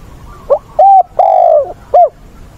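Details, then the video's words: Decoy spotted dove used to train wild-caught doves, giọng bổi ức chế voice, recorded 20/8: one mellow cooing phrase of four notes, the third long and gently falling, in a quiet setting. "Chim cu mồi giọng bổi ức chế, bổi già dìu dắt bổi lỡ, tập bổi nhanh nổi"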